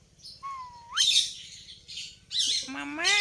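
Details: Talking parrots give a steady whistle that flicks sharply upward, followed by noisy harsh screeches and a final rising squawk rich in overtones.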